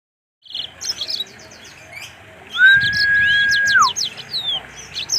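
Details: Captive black-throated canary at a bird farm, singing actively: quick high chirps and short sweeping notes, interrupted by a long, loud, steady whistled tone lasting over a second, then more chirping.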